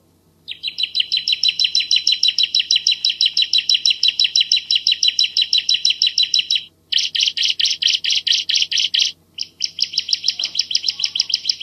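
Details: Bar-winged prinia, Javan type, singing a dense, clear 'tembakan' style tutor song: fast chips repeated about five per second in long unbroken runs, briefly pausing near seven and nine seconds before resuming; faint low hum underneath.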